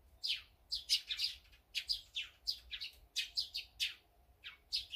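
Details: Small birds at a feeding spot, among them azure-winged magpies, sparrows, great tits and brown-eared bulbuls: a busy run of high, sharp chirps and short twittering notes, about three per second, over faint low hum.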